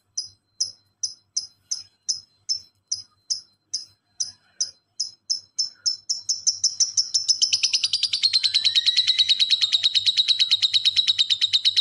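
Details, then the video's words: Lovebird masteran, relaxed ngekek moving into the fast 'speed rapat' style: spaced single high chirps about twice a second that quicken after six seconds into a dense, continuous buzzy chatter. "Masteran Lovebird Ngekek santai dilanjut speed rapat burung diam pasti nyaut"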